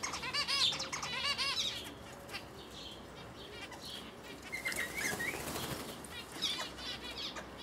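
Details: A male Guinea turaco feeds its chick of about three weeks, 11 August 2019, Panasonic HDC-SD60; rapid harsh, rich chevron-shaped notes repeat quickly at first, then fainter squeaky rising calls follow after a lull.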